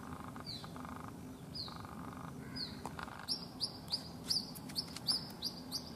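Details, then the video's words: White-breasted waterhen chick at a house in Rajasthan, India, calling non-stop after its mother flew over a wall; faint peeps at first, then a quick run of high, downward-slurred peeps about three per second, over steady background hum. "Waterhen baby calling"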